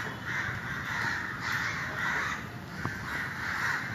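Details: Crows calling to one another, harsh caws blending in a band, with a steady high hiss and low rumble throughout.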